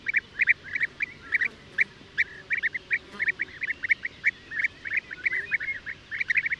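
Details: European bee-eater, Merops apiaster: short rolling notes near the same pitch, repeated in quick uneven bursts over about seven seconds, several birds seemingly overlapping, with a faint low background hiss.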